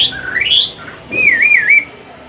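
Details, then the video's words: Chinese hwamei, a mature bird with a forest voice, kept to teach and stimulate others to sing: two clear whistled phrases, the first rising sharply, the second wavering up and down, with a short gap between them. "Họa mi già giọng cực hay, luyện bổi, kích trống hót hay"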